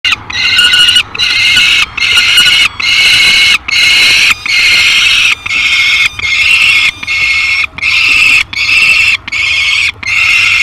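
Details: Peregrine falcon at its nest at feeding time, 15 July 2021, with a little yellow bird as prey: loud, harsh, rasping wails repeated about every 0.8 seconds without pause, with low rumbling noise beneath.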